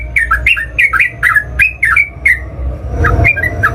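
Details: Fired-up sooty-headed bulbul in fighting song that provokes other birds to reply: rapid run of bright, liquid double notes, each with a falling-then-rising turn, then softer scattered notes over a low rumble and handling noise.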